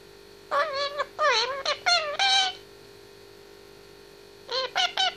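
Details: Pet grey parrot, 18 months old, indoors, talking and singing in harmonic, speech-like phrases with wavering pitch, three long syllables then a short burst of three more after a pause, over a steady low hum.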